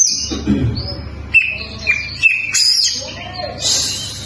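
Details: White-rumped shama, locally kacer, giving a loose sequence of whistled notes and short sharp chips, with buzzy high phrases toward the end over faint low background noise.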